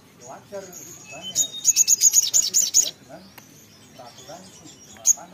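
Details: Sogok ontong (little spiderhunter) singing energetically. Soft murmuring sounds lead into a burst of about eight piercing high notes in quick succession, followed by quiet and one last isolated sharp note.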